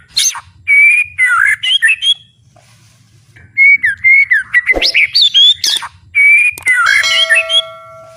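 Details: White-rumped shama kept as a songbird, singing full power with fighting spirit: loud bursts of varied warbled whistles, rising and falling phrases with harsh chattering notes between, separated by short pauses.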